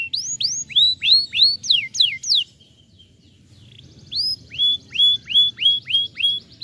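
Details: Canary singing, aimed at getting a silent bird to sing again: fast rising-then-falling whistles for two seconds, a short pause, then a steady repeated series of arched whistled notes.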